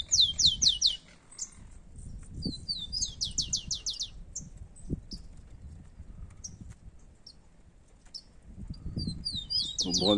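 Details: Two competing rufous-collared sparrows outdoors: a burst of fast descending whistled notes, a second burst around three seconds later, then a quiet stretch with soft background noise before another burst at the end.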